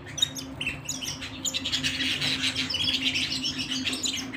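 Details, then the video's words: Indoor canary song that builds from scattered chirps into a fast rolling trill, with a low steady hum in the room. "canary singing at home"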